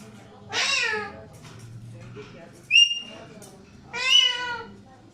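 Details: Alexandrine parakeets calling indoors: three loud, harsh calls about two seconds apart, a drawn-out nasal squawk, a short high whistle, then another rasping squawk, over a low indoor hum.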